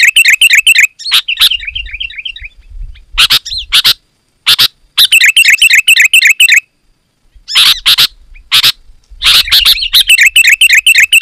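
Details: Sooty-headed bulbul in loud, dense singing, a recording meant to lure wild bulbuls: rapid runs of bubbly, chirping notes repeated several times a second, broken by sharp crackling bursts and short silences.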